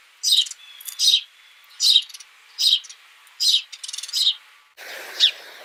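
House Sparrow giving loud, harsh chirps in short bursts about every 0.8 seconds, some doubled, with faint background noise and another chirp at the end.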